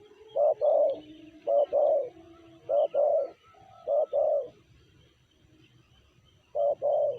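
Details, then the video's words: Spotted dove labelled BL with a 'sanji' voice: five low two-part coos, clipped note plus longer mellow note, in a run of four then one more after a pause of about two seconds, with light background noise. "Tekukur BL suara sanji"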